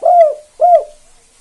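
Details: Two low, rounded coos from a spotted dove of the KUK 2 style, a bird used to set other doves calling. Each note swells, then fades downward.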